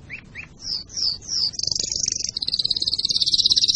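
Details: Canary in song for breeding preparation and teaching fledglings: two short rising chirps, three descending whistled slurs, then long rapid high trills rolling on without pause.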